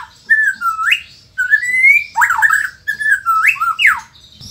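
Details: Singing white-rumped shama, Indonesia: three phrases, each opening with a level whistle that dips or rises, ending in sharp rising and falling slurred notes, with brief gaps between phrases.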